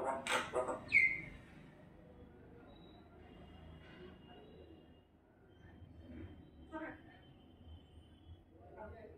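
A common myna opens with loud, harsh squawks and a sharp high whistle, then gives quieter speech-like chatter in scattered bursts over low background noise.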